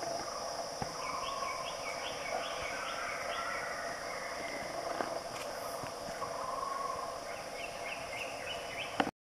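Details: Black-and-buff woodpecker at its nest hole in Kaeng Krachan National Park, Thailand, 2017: a quick series of short, rising, sharp notes, then a second burst near the end, over a constant shrill insect drone and a steady mid-pitched hum.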